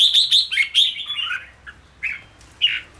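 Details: Red-whiskered bulbul stimulated to sing faster in ché style for cafe play: rapid bright chirping notes opening the phrase, then a falling warble and two isolated whistles.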